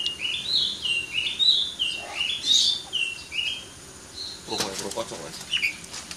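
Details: White-rumped shama, a champion bird let loose, singing a run of clear whistled notes that step up and down in pitch, phrases repeated over several seconds, followed by sharper chirps; faint background hum.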